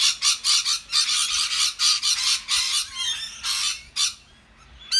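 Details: Australian rainbow lorikeets feeding together in a noisy group, trading loud conversation: harsh, grating screeches repeated in rapid bursts of about two per second, followed by thinner chattering squeals and a short pause.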